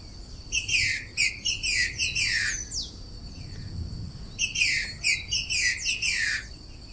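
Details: Female green-winged saltator (trinca-ferro) singing: two bursts of rapid, bright chirping notes with quick downward slides, each lasting about two seconds and separated by a short pause, over a steady high insect drone.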